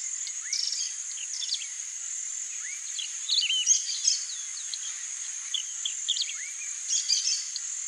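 White-tailed Goldenthroat nestlings give thin, high, rapid cheeps and upslurred chirps at feeding, over a steady shrill insect drone.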